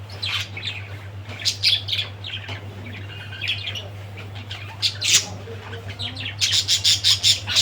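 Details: Budgerigar calling with scattered high chirps and raspy squawks that build into a rapid, repeated chatter at the end, over a low steady hum.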